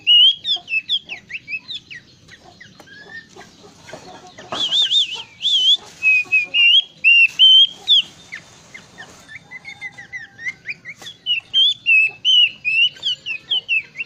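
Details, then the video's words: Bush warbler in full, lively voice with a varied song: clear whistled notes rising and falling at mid-high pitch, quick slurred phrases, and a few harsh buzzy bursts between them. "Burung Plenduk Semak Gacor dorr !! suara bervariasi"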